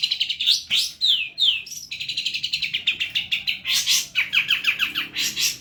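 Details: Long-tailed shrike singing energetically: a fast, varied run of chirps, quick downslurred whistles and rapid trilled notes, then bursts of harsh rasping notes mixed into a tumbling series of short chirps.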